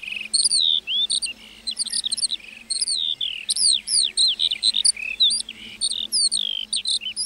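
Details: Song of a lark in a meadow: a lively, high-pitched warble of looping slurs, chirps and short trills delivered almost without a break.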